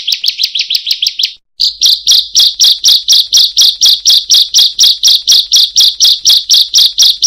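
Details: Bar-winged prinia calling in 'buka paruh' (open-beak) fashion for mastering other songbirds: a quick run of high chips, a short gap, then steadier, slightly slower sharp notes repeated about twice a second.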